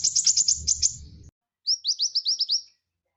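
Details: Scarlet minivet in full voice, recorded for teaching other birds: a rapid string of high chirps over low background rumble, silence, then a cleaner series of seven quick down-slurred high notes.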